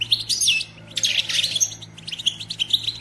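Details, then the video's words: Female European goldfinch batbata meant to spur males into singing and mating: dense, high, fast twittering in two loud bursts followed by softer chirps, over a low electrical hum. "بتبتة أنثى الحسون"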